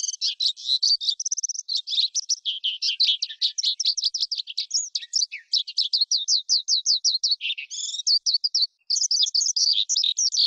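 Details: Skylark song, a recording used by keepers to lure wild birds or train young birds' voices: a dense, unbroken stream of fast, buzzy, high trills and chattering phrases with one brief pause near the end.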